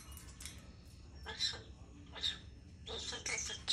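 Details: Common starling (Sturnus vulgaris) mimics human speech in raspy, breathy bursts, four or five short phrases in under four seconds, laced with hissy high squeaks.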